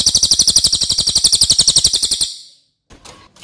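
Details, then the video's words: Cililin singing a masteran training song: about two seconds of very rapid, high, harsh repeated notes. They fade into silence, followed by a faint knock. "MASTERAN CILILIN OKE BANGET"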